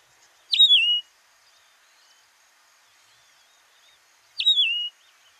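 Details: Yellow-throated longclaw (Macronyx croceus) in the Masai Mara, Kenya, gives two loud, clear whistled calls about four seconds apart, each a sharp high note sliding down into a wavering tail, with a quiet background.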